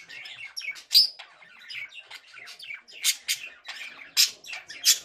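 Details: Song of a male budgerigar: rapid babbling chirps and soft warbles with a bright squeak early on and several loud, rasping bursts.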